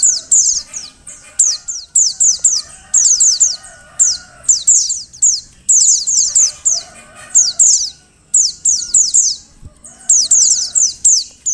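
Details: Female Oriental white-eye calling so that males will sing: long series of very high, steeply falling squeaky notes in rapid groups of three to five, repeated with short pauses; faint mid-pitched background sounds.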